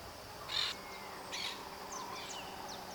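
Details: Maritaca parrots from Brazil, birds that live in flocks and call to keep contact, warn of danger and mark presence: two harsh, broadband screeches about a second apart, then faint thin chirps against steady background noise.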